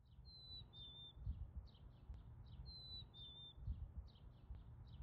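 A chickadee whistles its clear two-note fee-bee song twice, the second note slightly lower, among soft chips from other small birds over a low wind rumble.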